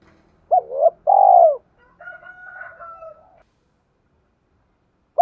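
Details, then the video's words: Cooing of a spotted dove, used to stir other doves to call. One loud phrase, a hooked double note and then a long rolling coo, is followed by a softer, steadier higher tone and a lower murmur, then silence. "Tiếng chim cu gáy thúc cực đỉnh dùng kích bổi mở lên là gáy 100%"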